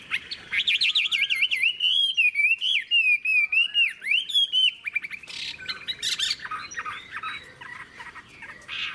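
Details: Mature wild-caught Chinese hwamei, described as having a fig-leaf tail and a long body, singing a rich run of loud, clear whistled phrases that rise and fall, followed by rapid varied chattering notes.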